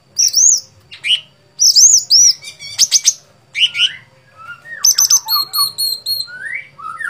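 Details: Sooty-headed bulbul (cucak cungkok) singing in the gacor fighter style: bright arched whistles and quick slurred phrases, rising and falling, in bursts separated by short pauses, with a faint low hum underneath.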